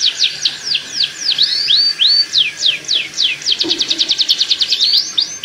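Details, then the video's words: Canary singing a mating song meant to stimulate pairing: rapid falling whistled sweeps and slurred notes, then a fast even trill of short repeated notes around the fourth second, ending with one more sweep. "Kicauan Kenari Kawin Untuk Pancingan Penjodohan Kenari"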